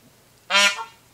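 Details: A male Indian peafowl in a residential area of Cocoa Beach, Florida, on 14 August 2019, gives one loud, nasal, brassy honk about a third of a second long over a quiet background.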